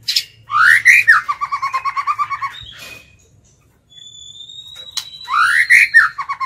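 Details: Captive lure White-rumped shama singing to call in and challenge wild birds: loud rising whistled slurs, then a fast run of about a dozen repeated lower notes, a pause with a thin steady high whistle, and the phrase again.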